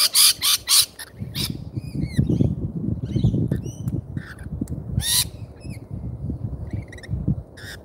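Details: Lorikeets at an Australian feeder: three harsh, broadband screeches open the recording, then scattered short, curved chirps and squawks above a steady low rumble, with one more loud screech midway.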